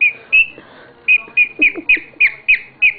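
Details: Happy pet bird singing an odd little routine of crisp, piping whistles, each note short and bright, spaced a few tenths of a second apart after an opening gap, with faint low murmurs underneath.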